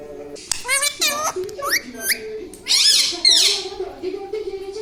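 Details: Squeaky, rapidly bending parrot vocalisations from a pet bird indoors, mixed with a person speaking underneath; sharp upward sweeps and a dense buzzy burst near the middle.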